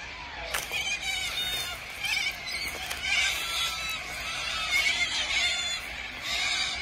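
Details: A huge gathering of corellas at Tocumwal on the Murray: harsh, grating screeches from many birds overlap into a continuous raucous din, with no pauses.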